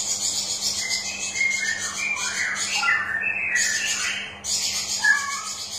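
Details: {'caption': 'Straw-headed bulbul lure song, played to stimulate birds that are reluctant to sing: rich, bubbling warbled phrases sliding between low and mid pitch, with bursts of high hissing chatter above.'}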